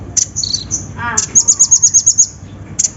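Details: Olive-backed sunbird (konin) lure meant to prompt singing: brief high sharp notes, then a fast even trill of about nine thin high notes, with a short lower buzzy burst before it.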